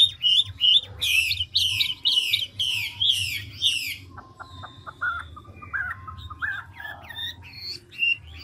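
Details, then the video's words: Ngũ trường song of a large mature wild-caught Chinese hwamei, changing voice continuously: a burst of six loud raspy descending notes, then quieter varied whistles and chips at lower pitch, over a faint low hum. "Họa mi ngũ trường đảo giọng tốc độ"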